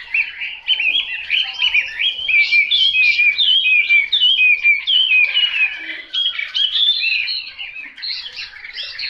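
A Chinese hwamei pours out a loud, rich, unbroken song of varied whistles and slurred phrases, quick and mostly high, with no other sounds.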